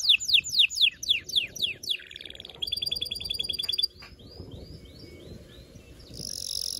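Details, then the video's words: Canary song to excite the female for mating: loud descending swoops, a buzzy trill, a quicker rattling phrase, then softer upward slurs fading out. "غناء طائر الكناري لتحفيز و تحضير الاناث و الذكور للتزاوج و تغريد المستمر"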